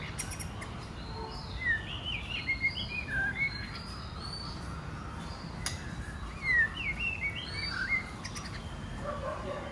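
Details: Female white-rumped shama calling and singing to provoke males into singing and fighting; short bright whistled notes and quick slurred phrases come in two bursts, near the start and again after six seconds, over steady background hiss.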